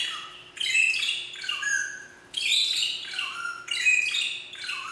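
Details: Captive magpie shrike at Philadelphia Zoo, singing loud shrieking phrases: bursts of harsh, overlapping whistles and squawks, each about a second long with short gaps, over a low constant hum.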